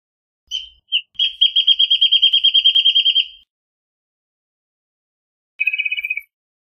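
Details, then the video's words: Chamaea fasciata, the Wrentit, singing: a couple of spaced high notes accelerate into a bright rapid trill of about two seconds, then after silence a shorter, slightly lower trill follows. "Wrentit Singing! Wrentit Calling! Wrentit Chirping! Wrentit Sound!"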